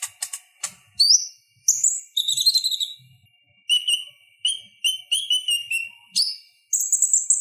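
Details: Purple-throated sunbird song meant for training other songbirds: a few scratchy clicks, then high rising whistles, buzzy trills and a run of lower down-slurred notes repeated in quick beats.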